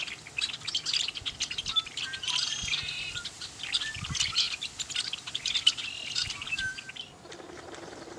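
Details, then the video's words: A group of red-winged blackbirds at Bitter Lake National Wildlife Refuge, Roswell, New Mexico, giving busy overlapping chirps, short whistles and chatter that fade out near the end, leaving quieter background noise. "Red-Winged Blackbirds at Bitter Lake NWR, Roswell, New Mexico"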